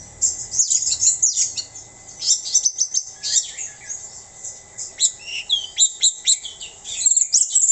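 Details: Orange-headed thrush in mabuk-style song: a continuous rush of very high, busy warbles, trills and twittered notes with brief dips lower, delivered almost without pause.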